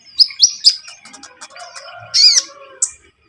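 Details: Javan munia song used as a lure for bird trapping: three sharp, high upswept chirps in quick succession, then soft twittering and a loud buzzy chirp and a final high note.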